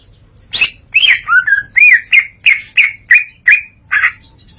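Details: Greater green leafbird singing ngeplong style with imitated phrases, a loud series of about ten separate slurred whistles, each rising then falling, spaced roughly every third of a second, some notes buzzy.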